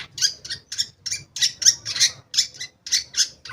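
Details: Lure recording of a Long-tailed shrike for birds that have gone quiet: a steady series of loud, rasping, scratchy notes, each a short harsh burst, repeated about three times a second.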